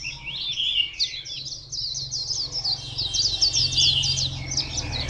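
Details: White-eye at Phù Yên, recorded 2 October 2015, pouring out a rapid warbling song of high, sharp twittering notes with quick up-and-down slurs, almost without pause.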